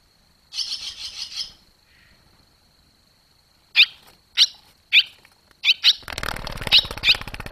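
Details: Barn swallow fledglings leaving the nest, 21 July 2023. A soft buzzy run of notes, a pause, then single sharp high chirps about every half second, ending under a rushing noise.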